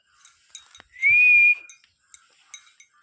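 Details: A talking pet parrot at home makes one smooth, sustained whistle that rises a little and then holds steady for about half a second. Soft clicks and small household noises sound around it, and a woman speaks Hindi to it nearby.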